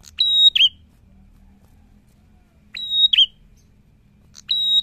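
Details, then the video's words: Active prinia giving spaced phrases, each a steady, high whistle snapping into a short, lower, wavering note. The last phrase is cut off, and the background is quiet between phrases. "PRENJAK GACOR BIKIN PRENJAK SEKECAMATAN BUNYI"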